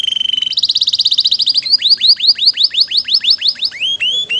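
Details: Canary singing energetically ('gacor') in a long, rich-content 'isian mewah' tutoring song: a held whistle gives way to a fast rattling trill, then steady tours of upward-hooked chirps, ending with a few clear rising notes.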